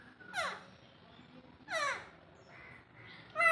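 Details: Alexandrine parakeet, a talking bird, gives two loud, harsh descending screeches about a second and a half apart. Softer tonal sounds follow, then a sharp high note at the end.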